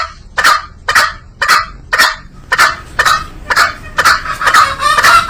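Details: Green junglefowl calling with loud, rough, clipped bursts spaced about half a second apart, the later notes merging into a hoarse ringing tone.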